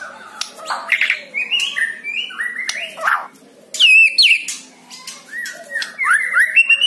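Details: White-rumped shama singing, played to rouse a quiet bird: a varied, rich phrase mixing short whistles, buzzy bursts and high twisting notes, in rapid changing bursts with brief pauses.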